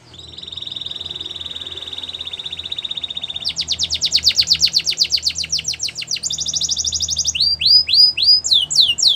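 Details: Russian canary training song beginning with a long sustained high trill, shifting to quick repeated chirps, a buzzy rolling phrase, then separate curling whistles, over light background noise.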